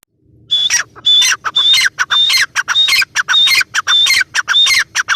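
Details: Female grey francolin calling: after a quiet start, a steady series of loud rasping notes, each with a piercing high whistle, repeating at a brisk, fairly even pace.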